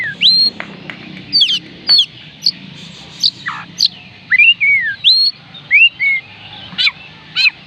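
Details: Oriental magpie-robin song used to get reluctant birds singing: spaced whistled phrases, rising hooks and falling slurs, with sharp high chips and steep downward sweeps.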